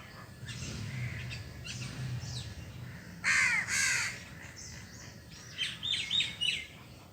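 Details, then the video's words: Crow calling while eating cooked food and grains: one loud, harsh, descending caw midway, with thinner chirps from small birds and a steady low background hum. "Crow eating cooked food and grains and making noise"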